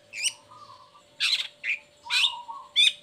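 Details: Long-tailed shrike, uncovered and singing strongly as a lure to get lazy or moulting shrikes singing. Scratchy chattered notes mix with drawn-out low buzzes, over a faint steady hum.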